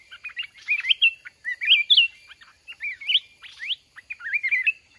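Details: Trapping contest with a mountain red-whiskered bulbul: cheerful, slurred whistles rising and dipping, delivered in short clustered phrases about every second, with faint chattering behind.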